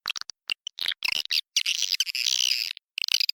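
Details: Lure call of swiftlets taken from a successful swiftlet house: scattered short sharp chirps at first, then a longer continuous buzzy twittering stretch, ending with quick clicking chirps.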